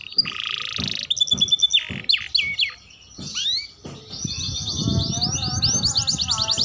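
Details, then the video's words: Young canary learning song in short, broken phrases: scattered chirps and a buzzy note, a brief pause, then a fast rising trill of high notes over low background rumble. "Suara Kenari Muda Belajar Bunyi"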